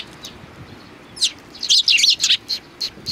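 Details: Sparrows recorded on 29 May 2019 break into a fast run of bright, high chirps after a quiet second, then trail off with single notes.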